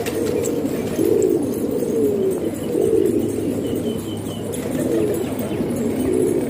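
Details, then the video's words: Domestic pigeons kept in a house in Pakistan coo in rhythmic swells, deep rolling phrases repeated about once a second from several overlapping birds, over a quiet steady hum. "Pigeon Sound"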